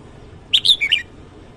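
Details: Morning song of a red-whiskered bulbul (chào mào): one brisk phrase of about four loud, whistled notes that rise and then fall away, with little other noise.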